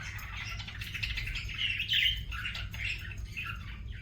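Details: Budgie warbling softly, a steady murmur of quiet chirps and twittering notes with one slightly louder squeaky phrase partway through, over low background hum.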